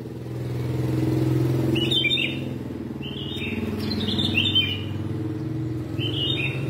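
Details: Red-whiskered bulbul, yellow-vented form, singing fiercely in contest style all day: short, bubbling, high warbled phrases given in quick bursts over a steady low hum of passing vehicles.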